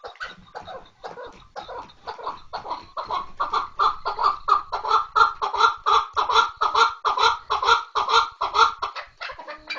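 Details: A chukar partridge calls in a long, accelerating chain of hoarse clucks, with soft irregular notes at first that build into a loud, regular rhythm of about two notes per second.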